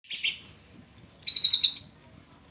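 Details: Orange-headed thrush singing: a burst of rough high chatter, then clear sustained high whistles followed by rapid trilled notes and further whistled phrases, with a faint low murmur underneath.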